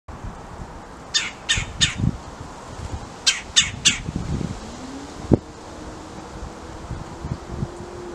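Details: Red-bellied woodpecker calling before swooping onto a suet feeder, southeast Pennsylvania, January 2018: harsh, rolling squawks in two quick groups of three over low rustling, a sharp knock and a faint engine hum.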